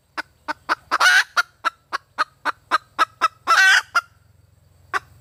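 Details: Female red junglefowl hen calling for a mate, giving a run of about a dozen short, evenly spaced clucks broken by two longer, drawn-out harsh squawks. A faint low hum lies underneath.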